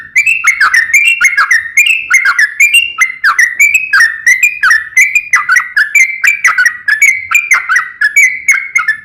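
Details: Sooty-headed bulbul (trucukan) pouring out a fast, clear 'nembak ropel' song: steady chain of short whistled phrases stepping up and down, each topped with bright clicks, roughly three phrases per second throughout, no pauses.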